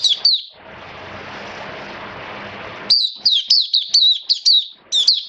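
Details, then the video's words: Caged Oriental white-eye in 'buka sing raja' form, rainy weather, September 2022: a brief high chirp, then a long rushing noise masks the bird for two seconds before a lively run of thin, rapid twittering notes. "Mata Puteh Buka Sing Raja"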